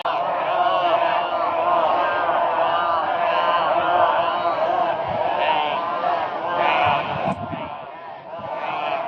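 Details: Many crows joining forces against a barn owl in Brisbane, Australia, February 2022, producing a continuous dense chorus of overlapping raucous, nasal calls with no clear gaps.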